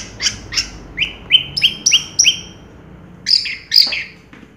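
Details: Orange-headed thrush, 2022 singing contest champion, gives a series of sharp rising whistled notes repeated about every third of a second, then a pair of bright high slurred phrases, over a quiet steady background.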